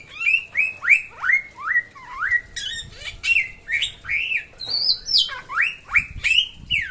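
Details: Lively samyong from NTB delivering loud, clear slurred whistles, each note swooping up then down. The notes are repeated about twice a second in a steady, energetic stream, with some higher sharp notes mixed in.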